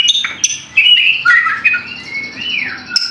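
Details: White-rumped shama song used to provoke another shama into singing: clear, fluty whistled notes with a long sliding whistle that rises then falls, and a few sharp chips.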